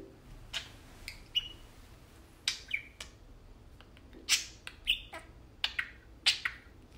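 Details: Two tame pet parakeets playing and talking indoors: bright chirps and short squawky notes in uneven bursts, with some rising and falling warbled syllables.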